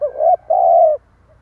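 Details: Spotted dove used as a decoy bird, giving the stuttering 'cà lăm' coo meant to provoke wild doves. Two low, soft, hollow coos are heard: a short note followed by a longer, steady one, then quiet.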